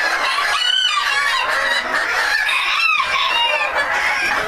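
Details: Silver Duckwing Phoenix bantam chickens from a breeding flock, raised to produce hatching eggs, give overlapping harmonic squawking and clucking calls with rising and falling tones, repeated over a constant background hum.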